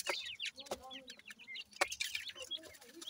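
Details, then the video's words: Short burst of grey francolin chicks feeding: bright, slurred peeps in quick succession, punctuated by two loud clicks, with a faint low hum. "partridge tetar ,Teetar ki Bache,dakni Teetar Chicks Feeding"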